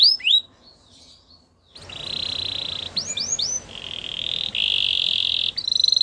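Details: Canary singing: two high downslurred notes, a short pause, then a steady buzzy rolling trill, several quick upswept notes and more long rattling rolls, all high-pitched against faint background hiss.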